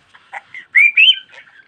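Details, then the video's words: Budgerigar chatter with short buzzy notes and two louder rising whistled phrases near the middle, then soft trailing twitters. "Muhabbet Kuşu Çimen Çok Konuşuyor.~Budgie Grass Talks a Lot"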